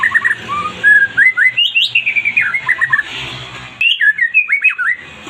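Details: Song of a white-rumped shama, used to draw a response from a quiet bird: a rich, rapid flow of whistled, slurred phrases, with a faint hiss behind them and a brief break before the final notes.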